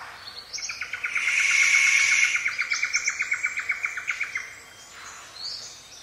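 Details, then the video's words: Paradise riflebird giving loud rasping calls inside rainforest in the morning: a harsh buzzy series of about fifteen rapid pulses over some four seconds, steady in pitch, with thinner high chirps and whistles of other birds around it. "Loud Rasping Calls From Paradise Riflebird"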